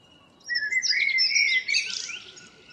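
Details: A common blackbird near home sings at dawn, 2 April 2013, delivering one brief phrase: a soft whistled start rising into a scratchy, high twittering flourish.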